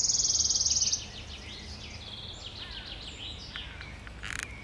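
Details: Wild wood warbler in song at Djurgården, Stockholm, 5 June 2021, delivering a fast shivering trill of densely repeated high notes lasting about a second, then fainter chirps and whistles of other birds, with a sharp click near the end.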